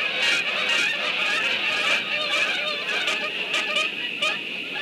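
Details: Geese flying by around and under a nest, giving a dense chorus of loud, overlapping nasal honks and yelps, repeated rapidly with no pause, strongest at the start.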